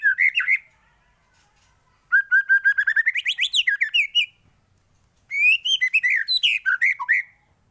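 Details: White-rumped shama song for teaching other birds to sing: clear whistled phrases in three bursts, a rapid series of rising and falling notes climbing in pitch, separated by short pauses.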